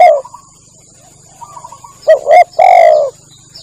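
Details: Spotted dove call used to lure birds while hunting: after a fading coo and faint soft chirping, a quick double note and one long mellow coo, with a steady high whine and low hum behind.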